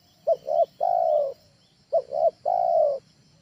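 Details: Spotted dove training call used as a lure for birds at home: two short cooing notes followed by a longer drawn-out coo, low and mellow, repeated twice with a short pause between phrases.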